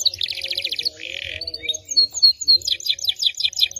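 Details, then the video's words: Canary singing cengkok phrases: a rapid rattling trill, a lower buzzy rasp, thin high whistles, then a quick rhythmic series of sharp chips. "Cengkok Kenari Paling Mewah 2022"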